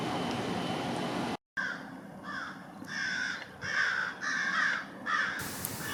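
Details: American crows harassing a bald eagle at a city park in London in autumn: a series of harsh, hoarse caws repeated roughly every half second to second over steady background rumble.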